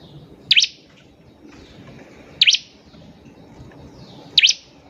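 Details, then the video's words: Bar-winged prinia heard as a lure for other birds: single sharp, high, down-up chips spaced about two seconds apart, with a faint low hiss between notes. "PANCINGAN CIBLEK GACOR || CIBLEK BAHAN PASTI CEPAT BUNYI"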